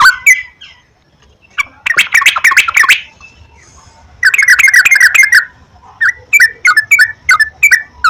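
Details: Trucukan, the yellow-vented bulbul, in a lure recording meant to prompt a kept bird to sing; rapid chattering bursts alternate with pauses and clear, slurred whistled notes repeated about three times a second.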